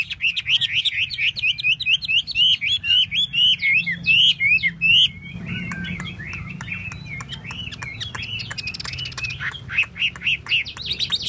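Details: Chinese hwamei performing a tail-fanning dance. A strong string of about a dozen repeated, ringing whistled notes comes in quick rhythm, then softer, faster warbling phrases with sharp ticks follow.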